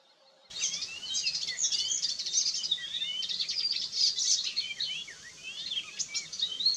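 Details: Icterine Warbler, a regular breeder in southwest Mecklenburg, sings a fast, varied jumble of high whistles, chatters and slurred notes, run together without pause and mixing in imitations of other birds.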